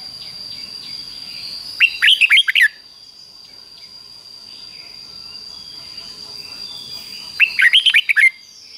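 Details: Red-whiskered Bulbul in the Thai 'double' song style, fik-jik-fok, for young birds to learn: two rapid phrases of six or so chirpy, rolling whistles roughly five and a half seconds apart, with a constant high whine and soft hiss between.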